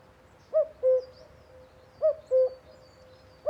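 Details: Common cuckoo (Cuculus canorus) song: its classic two-note 'cu-coo', a higher note then a lower one, repeated roughly every one and a half seconds over a faint steady hum.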